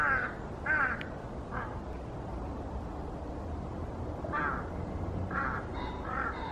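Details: A large-billed crow in Cheongju, South Korea, gives hoarse, nasal caws, singly and in quick pairs, about six in as many seconds, over a steady low rumble of distant traffic.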